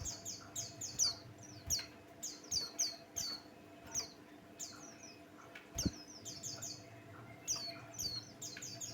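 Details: Lure song of a pleci Buxtoni white-eye for provoking other birds: fast, bright strings of high, descending chirps in repeated clusters, with a soft click and constant low hum behind.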